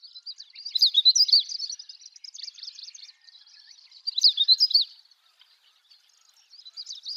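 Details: Long-tailed rosefinch singing early in the morning at Wakka Primeval Flower Garden, Hokkaido, Japan; high, rapid twittering warbles in three bursts, near 1, 4.5 and 7 seconds, with faint chatter between them and no other clear sounds.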